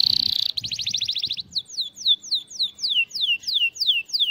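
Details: Canary song used to tutor young birds: a sustained high note and a fast rattling trill, then a slow series of clear downward-slurred whistles repeated about four times per second.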